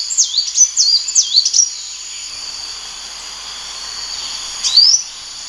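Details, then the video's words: Sunbird song: a quick burst of high, looping whistled notes for about a second and a half, then a hush with only faint hiss, ending with a single thin upslurred note. "SUARA BURUNG KOLIBRI WULUNG"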